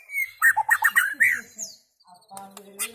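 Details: White-rumped shama singing: a whistled note into a quick run of rich, bubbling warbles, a high slurred note, then softer chirps after a short pause.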